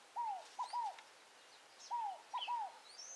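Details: Scaled dove, the fogo-apagou, in the wild at Tupi Paulista, São Paulo, giving two three-note cooing phrases, each a falling slurred note, a quick short note, then another falling note, over quiet background and faint distant bird chirps.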